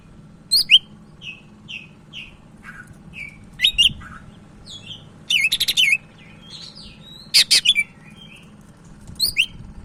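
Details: Sumatran leafbird, a caged bird in lively full song, giving scattered short high whistled notes and downslurred chips with several loud rapid rattling bursts spread across the phrase; faint low hum in the background.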